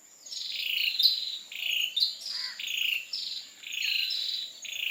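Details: Unusual call of an ashy tailorbird in Singapore, where it is a common resident: a run of high, harsh, buzzy paired notes, slightly descending, delivered nearly continuously against a constant high-pitched insect drone.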